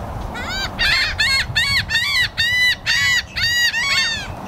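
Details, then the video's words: Seagulls and black-headed gulls yell in a fast series of loud, harsh, ringing calls, about nine in four seconds, each bending up then down, over a low steady rumble. "Seagulls Yelling"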